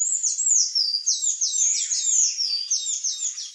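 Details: Short burst of Sayaca tanager song, loud and close, made of rapid high squeaky notes that each slur downward, packed tightly into an unbroken chattering phrase.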